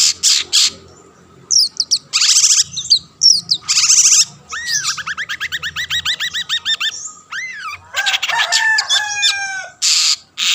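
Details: Long-tailed shrike singing to spur rival shrikes into song: rasping bursts and slurred whistles, then a long, even series of rapid nasal notes, a loud upslurred whistle and more chattering phrases.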